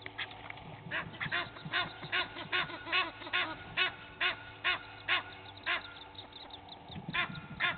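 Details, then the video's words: Egyptian geese, two families fighting at Gowrie dam waterhole on Djuma Game Reserve, Sabi Sand, South Africa, early morning in April: loud harsh honking and quacking calls repeated rapidly, about twice per second, in clustered bursts over steady low hum. "Two Egyptian Goose families fighting"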